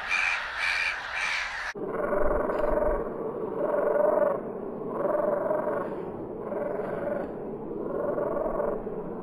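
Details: Black-headed gull: three quick, harsh, screeching calls, then lower, rasping cries about every second and a half over a rushing background; part of the recording is slowed down.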